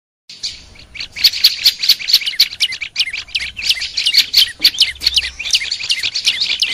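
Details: Olive-backed tailorbird, a kept cage bird, sung for training: rapid chattering phrases of high buzzy notes stacked in two bands, repeated several times a second, with small clicks between.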